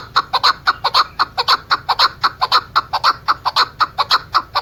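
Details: A female chukar gives a steady run of throaty chuck notes, about two a second, some doubled, with a faint background hum.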